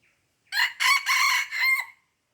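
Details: Aceh red junglefowl crowing on 5 January 2020: a brief, hoarse, cock-like call broken into four clipped syllables, stopping abruptly after about a second and a half. A faint chirp comes just before.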